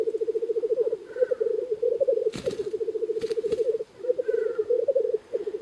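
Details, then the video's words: Black grouse lek in early spring with a large number of cocks near a hide, pulsed bubbling song rolling on and off, a couple of sharp clicks or wingbeats in the middle. "Тетеревиный ток у шалаша"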